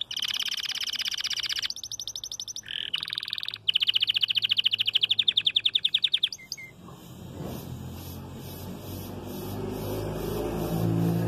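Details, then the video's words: Red frosted canary singing while just starting its moult, so not yet doubling its song: about six seconds of loud, rapid trills of repeated notes in several changing tours, then the song stops and steady background noise remains. "VERMELHO NEVADO, CANTANDO"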